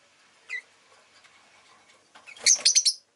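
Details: Rosy-faced lovebird (Agapornis roseicollis), chirping.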